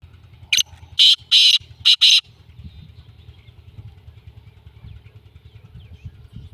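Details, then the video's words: Black francolin calling: a harsh, grating burst of five loud notes within about two seconds. A short opening note is followed by quicker, louder rasping notes, then a steady low engine hum continues. "کالا تیتر کی کیا ہی بات ہے بہت خوبصورت آواز"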